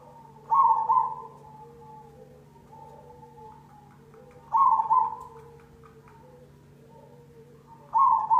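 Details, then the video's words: Zebra dove (perkutut cemani) played as a lure: three loud, rolling coo phrases spaced about four seconds apart, with soft quieter coos filling the gaps and a low steady hum. "Pancingan perkutut cemani"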